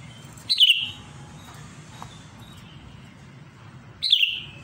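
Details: Sooty-headed bulbul calling a rival: two short slurred notes falling from high to slightly lower pitch, about three and a half seconds apart, over low hum.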